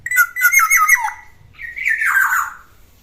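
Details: Ten-year-old black-naped oriole in vigorous voice, giving two fluty phrases: the first a run of quick looping whistles dropping in pitch, the second a harsher, nasal, wavering note after a short pause, over a quiet room hum.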